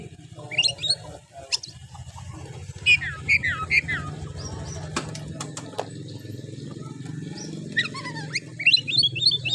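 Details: An oriental magpie-robin sings to provoke reluctant males into singing. Scattered high whistled notes and twisting phrases come through a steady low hum, with sharp clicks in the middle and a quick whistled flourish at the end.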